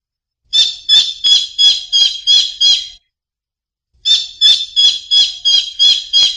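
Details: Collared kingfisher calling: two bursts of six harsh, squawking notes each, evenly repeated about three per second, separated by a silent gap of about a second; no other sounds.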